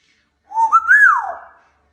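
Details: Indoor pet African grey parrot, a male, whistles a clear note that steps up twice, peaks, then glides smoothly down and fades.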